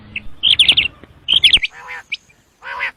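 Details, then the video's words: Common quail giving its call: two rapid runs of sharp, whistled, upslurred notes close together, followed by a couple of rasping, buzzy calls over a faint background hum. "Batair Ki khobsorat Mote Awazay|Batair Ki moty Awaz|Обыкновенный перепелиный зов |перепелиные звуки"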